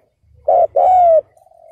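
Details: Decoy spotted dove luring wild males, a single phrase: a short rich coo, then a longer slurred note falling gently, followed by a faint drawn-out trailing tone over a low hum.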